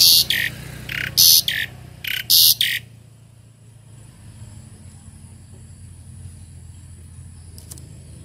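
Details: Tame Asian pied starling (jalak suren) giving a run of loud, harsh, buzzy bursts for under three seconds, then falling silent with faint background hum.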